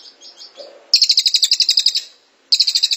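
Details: Cililin (Velvet-fronted Nuthatch) long 'tembakan rapat' song for training songbirds: faint chips lead into a loud rattle of rapid high notes, a short silence, then another quick burst of the same sharp chips.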